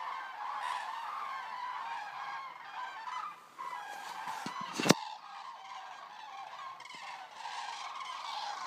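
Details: A resting flock of about 200 arriving common cranes at Racconigi, Italy, keeps up a dense, overlapping chorus of rolling, trumpeting calls, with one sharp knock partway through.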